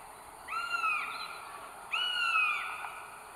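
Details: A female goshawk incubating three eggs in North Estonia on 30 April 2022, recorded by a nest camera, gives two prolonged, harmonic-rich wails that sag slightly in pitch, spaced about 1.4 seconds apart.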